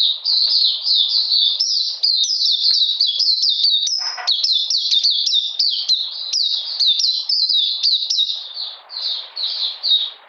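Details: Oriental magpie-robin singing on a cold, rainy day, 13 June 2020: rapid high downslurred whistles run on almost without pause, with one brief lower rasping note partway through, then softening near the end.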